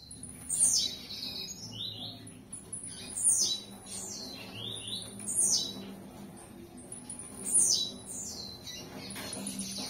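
Blue-black grassquit singing a sharp, high, buzzy phrase that drops in pitch, repeated four times about every two seconds over a faint low hum.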